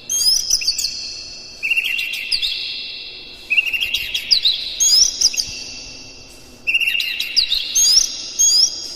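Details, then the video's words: Lure recording of a lively Oriental magpie-robin singing with mimicked fills: three separate bursts of rich whistled phrases with quick upward and downward slurs, each fading before the next starts. "KACER NGEPLAY GACOR NEMBAK-NEMBAK ISIAN, PANCINGAN AMPUH NAIKAN EMOSI KACER"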